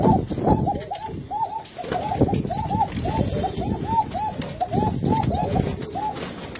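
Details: Khoka, or Arabian trumpeter, pigeons cooing steadily: rapid, overlapping, bubbling hoots that rise and fall, repeated several times a second. Bursts of rustling and wing or foot noise sound in the background.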